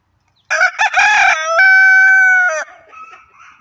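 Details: White Leghorn rooster perched on a farm gate, crowing loudly: a rough, stuttering opening burst, then a long sustained harmonic note held about a second that cuts off abruptly, followed by faint soft clucking.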